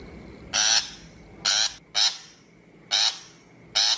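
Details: Lure recording of a shrike for a trap loudspeaker: five harsh, buzzy notes, with two given as a quick pair, repeated about once a second over a faint hum.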